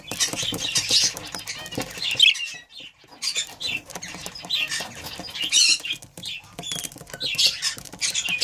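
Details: Near-continuous high, scratchy warbling chatter from a breeding pair of budgerigars, in rolling bursts with a short pause in the middle and frequent clicking underneath.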